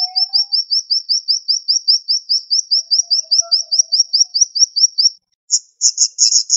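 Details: Rapid siri-siri bird tembakan: a steady string of about twenty thin, high upslurred notes, each quick and identical, briefly pausing before a few buzzier chattering notes; a faint lower whistle sounds underneath.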